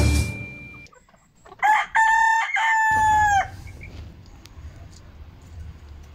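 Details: Rooster crowing among a flock of hens on Monday, 10 October 2022: a loud, brassy, harmonic crow with short opening notes and a long sustained final note lasting about two seconds, then low rustling and background noise.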